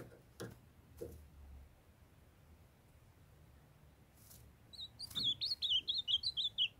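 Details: After several knocks and a stretch of quiet, a young captive male ultramarine grosbeak in Brazil launches into a lively warbled string of high twisting whistles, encouraged by his calling female.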